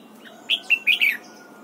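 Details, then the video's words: Red-whiskered bulbul singing during morning song training for the double-note wild-style song: a brief phrase of four clear, warbled whistles, loud and crisp, with the final note falling, then quiet. "Luyện giọng chào mào hót sáng, ép chào mào hót âm kép già rừng hay tuyệt!"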